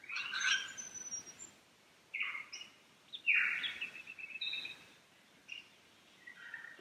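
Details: Lyrebird in the Cathedral Ranges on a Sunday morning, below the Farmyard campsite with streams nearby, gives a varied run of sharp clicking bursts and brief whistles. Some sound mechanical, like the rumoured camera-shutter mimicry, but this is traditional 'Song A'. Quiet hiss.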